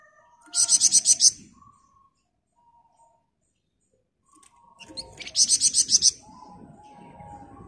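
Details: Flamboyan bird, dense ngebren song for training other birds: two bursts of rapid high pulsed notes several seconds apart, with soft low rustling between.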